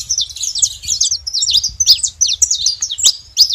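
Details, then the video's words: Saffron finches calling together with crisp, high, clipped chirps in fast clusters, some notes sharply rising then falling, repeated with short breaks; low background murmur. "Canário da terra junto fazendo barulho"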